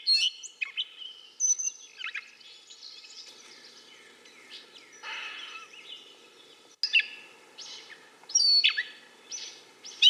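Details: Gray catbird singing a jumbled run of varied squeaky, mewing and chattering notes with abrupt pauses between bursts, some phrases sliding down and others rising sharply, over a faint low background hum.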